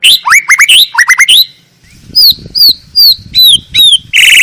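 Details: Male white-rumped shama of the Medan type with a very long tail, sung for tutoring other birds: quick rising whistled notes in bursts, a brief pause, then a series of clear downslurred whistles ending in a harsh buzzy note.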